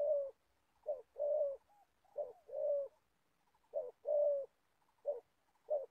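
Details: Old Spotted Dove used as a decoy to catch wild doves in Gia Lai, Vietnam. Its low, mellow coos arrive in short-then-long pairs, spaced less evenly, with a pause midway and a soft note in between.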